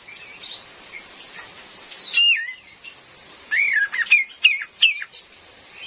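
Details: Female Cream-vented bulbul calls, used as a trapping lure: one wavering whistled note, a pause, then four sharp chirps that each jump up and drop quickly, with soft rain hiss behind.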